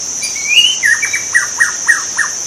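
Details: Singing white-rumped shama in the wild: a rising drawn-out whistle, then five or six quick descending chip notes evenly spaced, over a steady insect whine.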